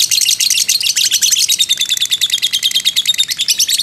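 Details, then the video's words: Fighter lovebird in long ngekek, a provoking lure and training sound; a dense, shrill chatter of fast, scratchy high notes runs without pause throughout. "pancingan lovebird JITU emosi ngekek panjang ngetik nyaut"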